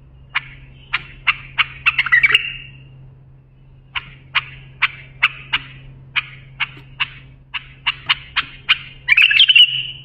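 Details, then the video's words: A bulbul's inventive song used for teaching young bulbuls: accelerating series of crisp clicking notes ending in a bubbly warble, a pause, then a longer click series closing with another rich warbled flourish; low hum underneath. "بلبل للساناته إبداع يفيد للتخريج صغار بلابل"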